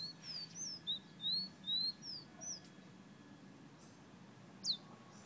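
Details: Bright red Guyana bird giving a quick run of high whistled notes, some rising and some falling, about six in two and a half seconds, then a pause and one sharp falling note.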